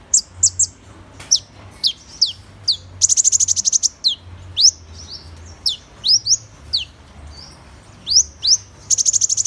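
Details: Sharp, high-pitched sweeping notes of a Van Hasselt's sunbird, with a fast ticking trill in the middle and another at the end.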